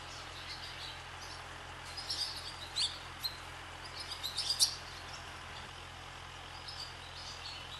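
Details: Barn swallows skimming across the sky above a swallow farm; a short burst of thin, high chirps and twitters clustered mid-clip, several quick sharp notes in a row, over a steady background hiss.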